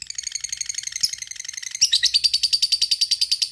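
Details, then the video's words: Lovebird fighter calling a rival with ngekek panjang: rapid, rasping chatter of high pulses, broken by a sharp click, then resuming as a louder, steadier buzzing trill. "LB FIGHTER NGEKEK PANJANG masteran lovebird ngetik ngekek panjang"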